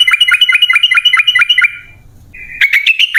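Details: Sooty-headed bulbul used as a lure for caged birds, long ropel-style singing: an even run of quick, sharp repeated notes, a brief pause, then a busier, slightly higher warbled burst.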